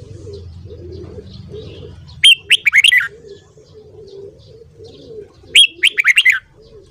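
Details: Red-whiskered bulbul morning song for voice training: two quick phrases of loud slurred whistles about three seconds apart, while doves keep up a gentle rhythmic cooing in the background.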